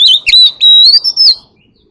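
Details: White-rumped shama with a wild forest voice, singing to call the flock: loud clear whistled notes that sweep up and down, then a long steady whistle rising slightly, broken by short sharp chips.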